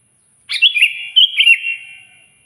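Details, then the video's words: Sooty-headed bulbul, kutilang, singing loudly to call a rival: one bright whistled phrase of quick bubbly notes between about two and four kilohertz, fading out with a trailing tail. "suara burung kutilang gacor keras, paling ampuh memanggil lawan auto emosi"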